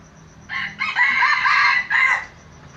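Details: Red junglefowl cock from Aceh, a lure bird, crowing loudly: a short rough opening note, a longer harsh middle phrase and a clipped final syllable, about one and a half seconds in all, over quiet background.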